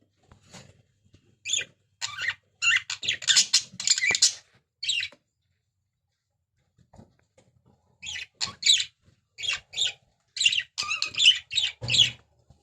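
Budgerigar chatter: bursts of high, scratchy chirps and warbles with a short pause in the middle.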